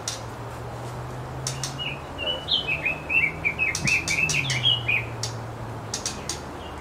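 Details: One of a pair of white-rumped shamas feeding their babies in a nest on the North Shore gives a quick run of short, high chirps, several per second, over a low steady hum and a few sharp clicks.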